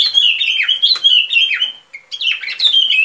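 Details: Sooty-headed bulbul song used as a trapping lure: rapid, bubbly chattering phrases of slurred, descending notes that run almost continuously, with one brief pause near the middle.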